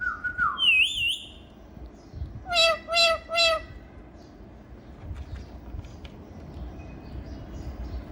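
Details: Pet ringneck parrot said to be talking and dancing gives a short wavering whistle and a warbled trill, then three evenly spaced nasal squawks, followed by faint room noise.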